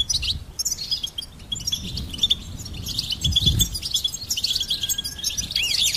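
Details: Goldfinch song: rapid high twittering with bright repeated tinkling notes, a sustained thin whistle near the end, and low rumbling background noise.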